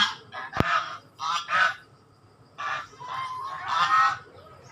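A swan gives nasal, trumpeting honks in uneven bursts, about six in under five seconds, with one sharp knock near the start.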